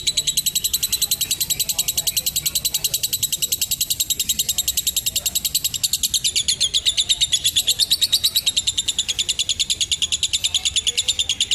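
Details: Long ngekek trill of a lovebird, meant for training young birds. A dense, high, buzzing chatter runs unbroken for nearly twelve seconds, its notes very fast and even, shifting slightly in tone midway.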